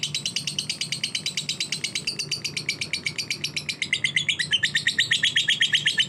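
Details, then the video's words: Caged lovebird of the fighter type giving a long, rapid run of sharp, high chirps, about three per second and evenly paced. The notes shift slightly lower and grow denser toward the end, over a faint low hum. "Lovebird Fighter"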